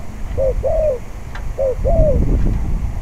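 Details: Spotted dove calling at a decoy trapping pen on a windy day: two short cooing phrases, each a brief low note followed by a longer downward-sliding coo, with steady wind rumble underneath.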